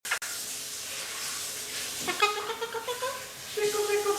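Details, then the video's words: One-year-old male pet Eclectus parrot imitating a chicken indoors: after about two seconds of hissing, running-water-like noise, a quick series of short harmonic clucks begins, closely spaced and uneven, over the steady background hiss. "Eclectus Parrot believes he is a Chicken!!!!"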